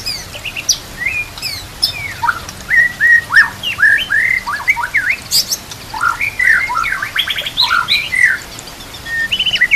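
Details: White-rumped shama song with complete filler phrases, prepared for training captive birds: a rich run of varied whistles, slurred rising and falling notes, and rapid chattering bursts near the middle, delivered almost without pause.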